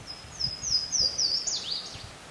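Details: A Louisiana waterthrush (Parkesia motacilla) sings several high, clear, slurred downward notes, then a quick jumbled twitter dropping lower, over faint low noise; Pond Road, Windsor, Vermont, 27 April 2014.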